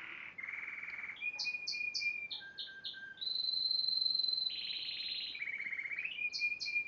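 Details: Yellow Spanish timbrado canary in song, mixing short ringing notes, repeated high chips, a long pure sustained whistle, and rattling trills that step down in pitch.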